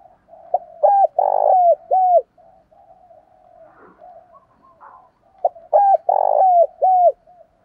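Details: Spotted dove coos, birds used as decoys for training others to call: two loud, mellow phrases of low hooting notes, each a short lead-in, a long swelling coo and a falling final note, separated by a quieter soft murmur.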